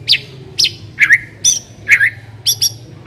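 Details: White-rumped shama song used to lure a shama into singing: short sharp whistled and chattering notes, some dropping in pitch, spaced roughly every half second over a low steady hum.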